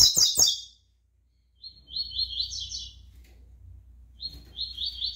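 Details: Brown-plumaged double-collared seedeater: a loud opening chatter with sharp clicks, a silence, then two rippling buzzy trilled phrases separated by a pause. Low hum beneath.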